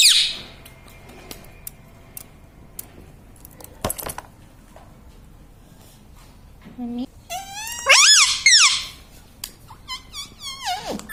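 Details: Indoor pet parrot taught to say "mummy" and "papa". Mostly quiet at first with a faint knock, then a burst of loud, rising, warbling talking-like calls, several in quick succession.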